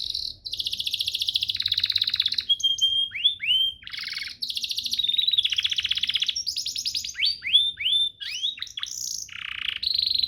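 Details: Master song of a canary used for training other canaries: dense buzzy trills alternate with fast rolling rattles, sweeping downslurred whistles, and brief clear tones, continuing without pause.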